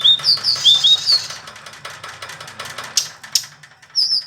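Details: Indigo flycatcher singing: a quick run of high, thin, sliding whistled notes in the first second and a half, then scattered clicks and tapping with a few more short high notes near the end.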